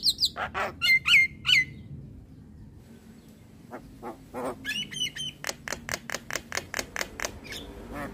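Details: An Asian pied starling sings in the morning to lure young starlings: a few loud, bubbling whistled notes, a quiet gap, then a fast even series of clicking, chattering notes.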